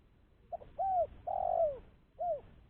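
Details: Spotted dove lure call: short opening note, arched coo, long descending coo and a final short curved coo, soft and hollow in tone.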